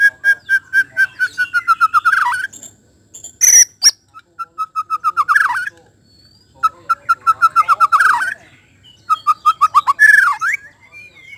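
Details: Lure song of a white-rumped shama, meant to draw out a bird's full repertoire: loud runs of rapid, accelerating whistled notes, each run ending in a rising flourish, repeated four times with short gaps and one sharp high squeak.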